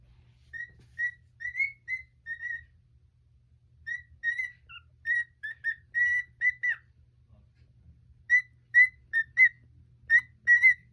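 A cockatiel gives short, clear whistled notes in quick bursts, with brief pauses between groups.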